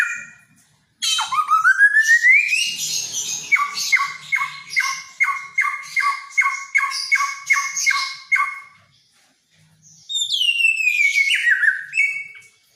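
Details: Helmeted friarbird, an endemic Nusa Tenggara bird with a strong voice and mimicry, singing hard: a rough rising glide, then a clipped note repeated about three times a second for five seconds, a pause, and a falling phrase.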